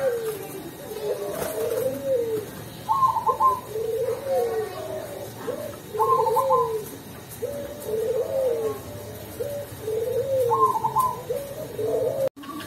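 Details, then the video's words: A Cemani zebra dove (perkutut) from Tulungagung sings in the mellow "ulem" style: soft cooing phrases, a higher note followed by rolling lower coos, repeated about every three to four seconds. "Perkutut Cemani Gacor dengan Suara ULEM yang Merdu"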